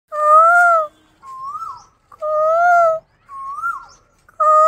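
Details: Asian koel said to be getting irritated: short whistled notes that rise then drop, alternating about every second with louder, steadier, rich-toned arching whoops, five notes in all, quiet background.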